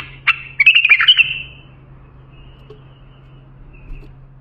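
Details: Bulbul song used for training young bulbuls: one quick burst of warbled, liquid notes rising and falling, followed by a short trailing whistle, then near silence with a steady low electrical hum.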